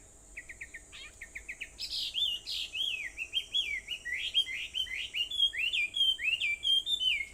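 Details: Birds singing at 4:30 a.m. on Aobayama, Sendai, Japan, 21 July 2014: a quick run of short chips, then a long string of rapid downslurred whistled notes repeated about twice a second, over a soft constant high hiss.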